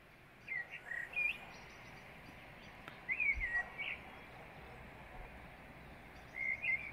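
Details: Birds singing before dawn under a bright moon in the Beskid Wyspowy mountains on 10 March 2023: quick bursts of thin, high chirping phrases separated by pauses of a second or more, over a steady low rural hum.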